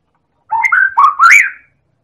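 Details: White-rumped shama from Medan, used to draw song from other birds: one short, loud phrase of linked whistled slurs rising in pitch.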